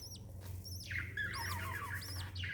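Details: Mother lovebird with a chick, 26 December 2021: quick arched high squeaks repeat several times in under three seconds over a steady low hum.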